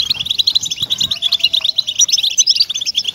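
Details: Song of a European goldfinch for motivating caged goldfinches to sing: a rapid, bubbling chatter of high chirps and buzzy notes strung closely together, with a faint low whistle-like tone partway through.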